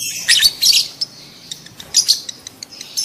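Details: Adult lovebird in mating mood giving loud, piercing squeaky chirps, two strong bursts close together, then scattered thinner ticks and another shrill burst, intended to stir other lovebirds into breeding.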